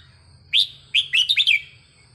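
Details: Red-whiskered bulbul song for training: a brief, loud phrase of five or six quick, bright, slurred notes rising and falling, delivered in about one second over a faint hum.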